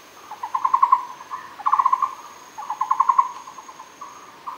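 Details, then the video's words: At Fushan, a Muller's barbet gives repeated clusters of quick, hollow, knocking notes, four bursts in under five seconds, with short pauses between them and a thin constant high tone in the background. "Muller’s barbet Megalaima oorti, Fushan"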